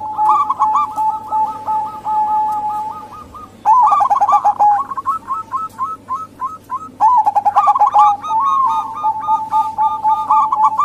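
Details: Zebra doves of local and Bangkok types calling as a lure to stir other doves; long sequences of quick repeated coo notes with louder bursts near four and seven seconds, several birds overlapping.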